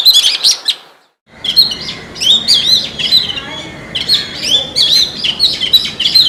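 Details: Oriental magpie-robin in a forest repeating a short, loud whistled phrase with sharp upswept notes after a brief pause, the motif recurring about once a second.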